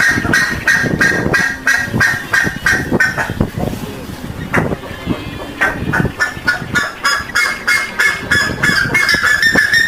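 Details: Buff-necked ibis: loud, harsh honking calls given in rapid repeated bursts, several per second, forming a noisy continuous chorus.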